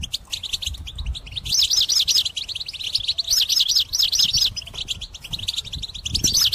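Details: Song of a European goldfinch meant for trapping birds, a fast liquid twitter of rolling, wavering high notes in long unbroken phrases, with faint low background noise.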